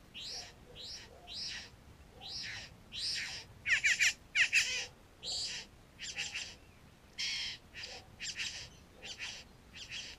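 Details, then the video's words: Satin bowerbirds near a bower on a property close to a garden where they raid pet food, filmed on a GoPro Hero 3; harsh, buzzy, rasping bursts repeated more than once a second, some louder crackling notes mid-sequence. "Satin Bowerbird"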